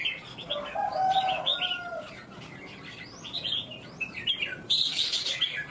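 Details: Red-whiskered bulbul from Vietnam, a strong 'cafe' competition bird singing at a contest: bright warbled phrases rising and falling, with quick chirped notes in a busy run and a lower, steadier tonal sound early on.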